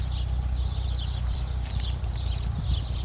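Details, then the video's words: Khalifa City birds chirp in a continuous flurry of thin, high twittering notes, partly masked by a loud, low droning hum throughout. "birds chirping"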